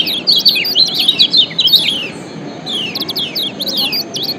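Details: Yellow white-eye from Lombok (kecial kuning) in a combined lure song for training birds: fast, high, chattering run of sharp slurred chirps for two seconds, brief lull, then another twittering burst.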